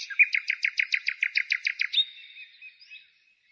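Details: Spring birdsong recorded in countryside outside a town, 15 May 2017: a rapid series of about twelve identical clear chirps at an even pace, ending in a thin fading trill.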